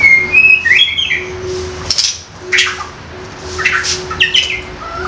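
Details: Young forest-caught White-rumped shama singing, used to prompt other young wild shamas to sing loudly; short bright chirps and quick slurred whistled phrases in bursts, with a steady low electrical hum underneath.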